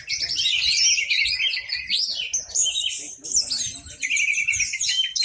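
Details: Orange-headed thrush singing loudly with tail open to set off other caged birds; busy, high, sweeping whistles and sharp chips run without a break, over a soft low rumble.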